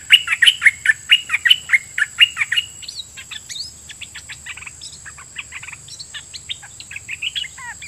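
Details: Red-whiskered bulbul decoy singing at wild birds. A loud, rhythmic run of paired chirps opens the passage, then fades into softer, scattered twittering notes and distant chirps. A steady high whine persists throughout.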